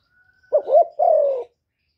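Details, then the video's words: Single cooing phrase from a decoy Spotted dove contesting a wild bird: a brief wavering double note, then a longer mellow coo that slides gently downward, with a faint high thin tone before it. "Tiếng cu mồi lỡ gù đấu bổi"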